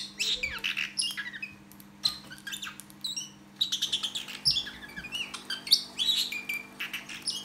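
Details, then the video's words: Indoor parrotlet imitating the R2D2 droid: dense bursts of high squeaky chirps and short gliding whistles in rapid clusters, separated by brief pauses, with a constant low electrical hum underneath. "R2D2 Star Wars imitation by Ozzie parrotlet"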